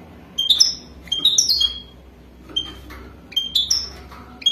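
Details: European goldfinch of the wadani type singing for mating, with scattered bright chirps and brief twittering clusters, some notes slurring downward, repeated at uneven intervals, faint low hum present.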